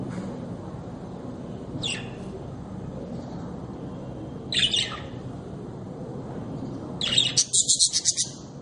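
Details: Budgerigar, a small parrot-family cage bird: two isolated high, sharp chirps, then a fast burst of about seven scratchy chirping pulses near the end, over a steady low indoor hum.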